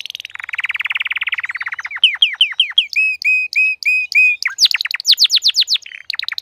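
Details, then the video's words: Crested canary in fine singing form: a rapid buzzy trill, then strings of repeated downslurred whistles and looping notes, ending in fast high rolling phrases, loud and continuous. "تغريد كناري متوج (مقنبر) Chant Canari Pleine de Forme"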